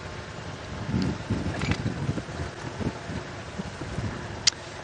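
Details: Gusty wind buffets the microphone over a low vehicle rumble, with one sharp click near the end and no animal calls.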